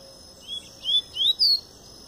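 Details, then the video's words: Double-collared seedeater singing in pure Tui Tui style while coming out of molt: four high whistled notes, each rising and spaced about a third of a second apart, over faint steady hum. "Papa-capim Tui Tui puro"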